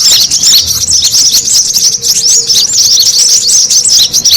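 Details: Brown-throated sunbird lure sound for attracting birds: high, excited chattering of sharp chirps and thin rising whistles packed closely together.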